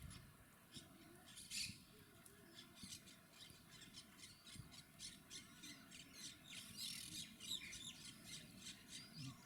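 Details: Monk Parakeets (Quaker Parrots) chatter in rapid, high, grating squawks, several per second with louder bursts, captured on a Panasonic HC-WXF990 camcorder amid low background rumble.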